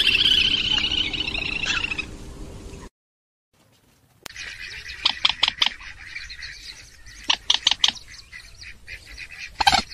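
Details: Purple swamphen lure recording for trapping birds: a blurred harsh call, a brief silent gap, then quick runs of sharp squawking notes repeated in uneven bursts.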